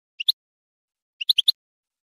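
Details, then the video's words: A European goldfinch sings a pair of bright, high chirps, then after a pause a quick run of four tinkling notes, with no other sounds. "goldfinch singing"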